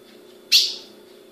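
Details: One sharp, high chip from a female ultramarine grosbeak kept by a Brazilian breeder, struck abruptly and fading in a brief ringing tail over a low steady hum.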